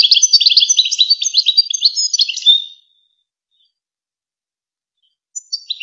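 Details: Goldfinch song from the famous Wakr Touzgha tape played to goldfinch chicks and hybrids to learn: dense, tinkling twitter of quick high notes for nearly three seconds, silence, then a few clear chirps.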